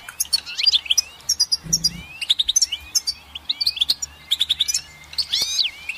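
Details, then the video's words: Goldfinch singing in quick twittering bursts: clear chirps mixed with curving upslurred whistles and a few rattly notes, delivered in tight clusters separated by short gaps. "Goldfinch Song"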